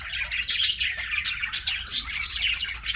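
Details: Budgerigars chirping, a dense high chatter of short scratchy chirps and warbles with brief whistled notes, several birds overlapping, steady and lively throughout.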